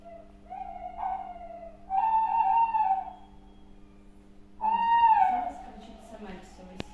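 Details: On a February night owl survey in Holosiivskyi National Park, Kyiv, during the mating season, a male tawny owl answers playback with three long, mellow hoots, later ones wavering and tremulous, while a female replies; low hum.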